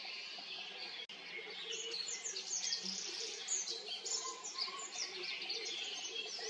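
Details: Olive-backed pipit at Haenam singing a dense, high-pitched warble of quick thin notes and buzzy trills, after a sharp click early on, with a faint low hum underneath.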